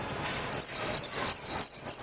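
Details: A continuous, very high and thin warbling twitter from a Japanese white-eye (mejiro), with notes rippling up and down in quick succession for about a second and a half.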